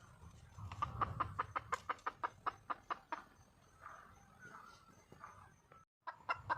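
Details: Wild red junglefowl hen calling to attract a male: a steady series of short loud clucks, roughly four per second for two and a half seconds, then softer scattered notes and a brief renewed burst; low rumbling background.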